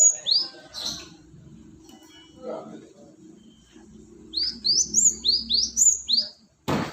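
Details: Lure call of a cinereous tit for catching birds: two high down-slurred notes, a pause with a low steady hum, then a quick burst of six or seven falling whistled notes, and a sharp click at the end.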